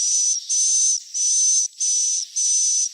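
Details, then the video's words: Swiftlet chick calls meant to draw swiftlets in: five loud, hissing buzzes with a steady high whistle running through each, roughly half-second notes with short breaks. "SUARA WALET ANAKAN TERBARU"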